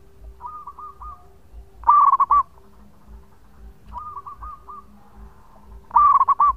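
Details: Male local zebra dove singing as a lure: two loud phrases of rapid, rolling coos, each answered by quieter cooing from a farther dove, with a low, steady hum underneath.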